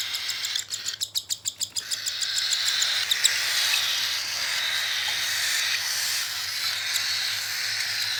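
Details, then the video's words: Hand-feeding of a cockatiel: a run of about ten quick rhythmic pulses opens, then merges into a long continuous raspy begging hiss. "Handfeed cockatiel"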